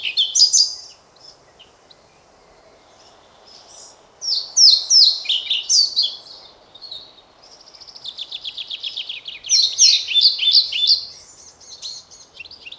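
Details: European pied flycatcher song in several phrases: a short high burst at the start, a loud falling twittered phrase near 4–6 s, then a fast trilled run leading into a bright rich flourish around 10–11 s, over faint background hiss.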